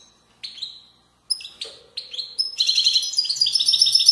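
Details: European goldfinch of Widani song style, Moroccan valleys: several separate sharp rising chirps open, building into a continuous fast trilling twitter of high, ringing notes.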